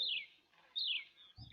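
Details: Horsfield's Bronze-Cuckoo, a secretive bird identified mainly by call, gives two high, descending whistled notes about three-quarters of a second apart, the same phrase repeated, with a faint chirp at the end.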